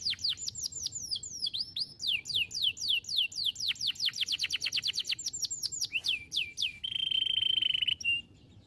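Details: Canary song used to train and excite other canaries: rapid series of descending whistled sweeps repeated several times a second, shifting pace in bursts, ending in a sustained buzzy trill and a brief final note.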